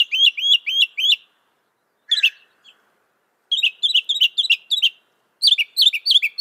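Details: Northern mockingbird singing, a mimic claimed to hold 200 sounds: rapid chirped notes in repeated runs, a brief lower scratchy note in between, then further bursts of the same quick chirping.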